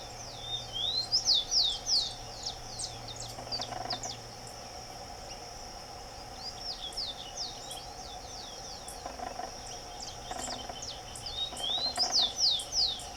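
A Rufous-collared sparrow sings bursts of high, clear, slurred whistles, with phrases returning every few seconds over a faint steady insect-like hum.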